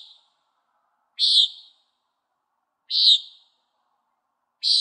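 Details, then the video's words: A Common Nighthawk gives a nasal, buzzy peent, repeated about every one and a half to two seconds, with silence in between. "Nighthawk Call"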